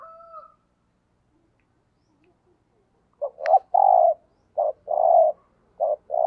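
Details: Decoy spotted dove in the 'thúc gù' cooing style. A rooster's crow fades out at the start, then after a pause comes a run of paired coos, each a brief note then a drawn-out mellow hoot.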